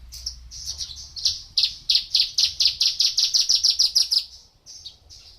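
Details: Javan bushlark, a male aged four years, delivering a run of rapid high chirps, roughly four per second, rising in loudness, ending with a few drawn-out descending whistles.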